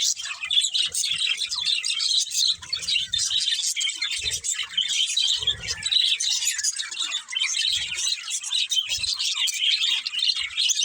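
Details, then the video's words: Group of budgerigars chattering nonstop with high, raspy chirps and quick warbling twitters, plus occasional soft low knocks and movement sounds. "Cute Budgies Chirping Sounds"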